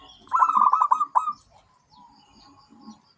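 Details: One rapid rolling phrase of staccato coos from a zebra dove, ending in a single stronger note, followed by quiet low chatter in the background.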